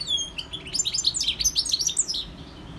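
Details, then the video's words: European goldfinch singing a rapid, continuous sequence of bright tinkling and twittering notes, lively and unbroken for about two seconds. "GOLDFINCH SINGING 1H Chant Chardonneret اسمع واستمتع صوت الحسون البري Jilguero Campero"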